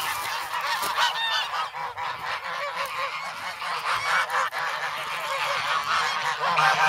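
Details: Young geese, once goslings, mob a person for bread in the snow at Sloterpark, Amsterdam, on 3 February, recorded with a Sanyo-SH1. Steady massed honking, many birds calling at once in a rough unbroken din.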